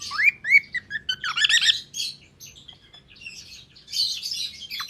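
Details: A gray cockatiel chirps in quick, rising whistled notes mixed with scratchy, buzzy chatter.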